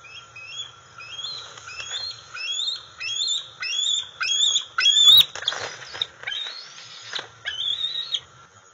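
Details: Juvenile female bald eagle, 131 days old, calling for food at the NCTC nest on August 5, 2020, as her father brings a fish: a rapid series of high, rising-falling whistled chirps, about one or two per second, with a steady background hum.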